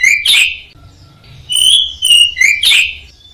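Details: Orange-headed thrush in full song, used as a training recording for caged songbirds: loud, clear whistled phrases sliding between high notes, with short bursts of sharp chirps separated by brief pauses and a faint low hum underneath.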